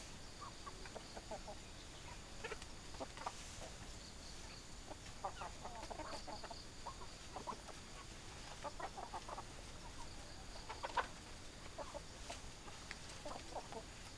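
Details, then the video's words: Farm chickens cluck steadily, short broken notes repeated irregularly throughout, several birds seeming to overlap, with faint hiss and a soft high tone in the background. "Chicken Sounds Noises Hens Clucking Roosters Crowing"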